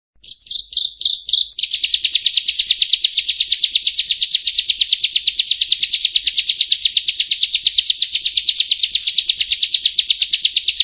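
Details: Prinia song for luring wild prinias in rice fields; opens with four or five slower, separated high notes, then breaks into a fast, steady stream of buzzy chips, about six per second, lasting to the end.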